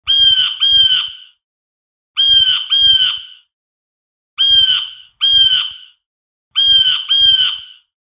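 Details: Blue jay calling: harsh, nasal, slightly rasping notes given in pairs, each pair repeated about every two seconds, four pairs in all, against silence.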